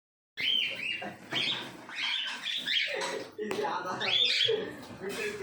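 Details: A pair of yellow-sided conures giving harsh, raspy squawks in short bursts, some rising and falling, with brief pauses between calls and a noisy, broadband quality throughout.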